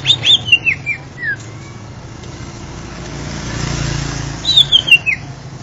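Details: Greater green leafbird (Chloropsis sonnerati) in active song: two bursts of bright, clear whistles stepping quickly downward, separated by a few seconds of low engine-like rumble.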